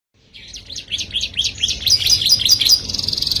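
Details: Canary singing to attract the opposite sex: a quick series of upslurred chirps that speed into a dense buzzy trill, high-pitched throughout.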